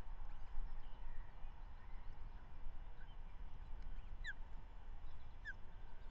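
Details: At the Manton Bay nest on 13 May 2023, an osprey feeds the season's first chick after her mate delivered a trout in the morning; two clear down-slurred whistles about a second apart above constant low wind-like noise.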